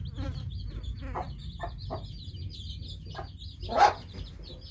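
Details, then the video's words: Newly hatched chicks giving a continuous stream of high, thin peeps from many birds at once, mixed with several short louder bursts and a strong one near the end, over a low background hum. "Just New Hatched Chicks Chirping Sound| Baby hen Sounds"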